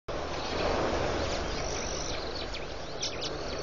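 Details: Hundreds, if not thousands, of red-billed quelea swarming above the water at Pete's Pond, Mashatu Game Reserve, Botswana, on 31 October 2015: a dense, steady roaring hiss of massed birds, with faint thin high chirps flicking through.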